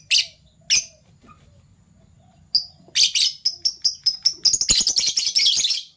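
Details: Two pet Fischer's lovebirds, colour mutations violet and gold opaline euwing, in the morning: a few spaced shrill chirps, then a fast regular string of piercing notes merging into dense scratchy chatter.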